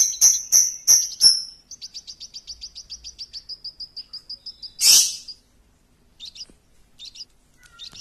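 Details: Lovebird champion lure song: loud sharp high chirps in a quick series, then a long fast trill of tiny notes tapering off, one harsh burst, and soft scattered chirps afterward.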